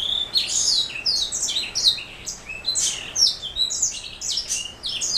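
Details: Black throat mule, a canary hybrid, pouring out a continuous high twittering song of quick downslurred whistles and chirps.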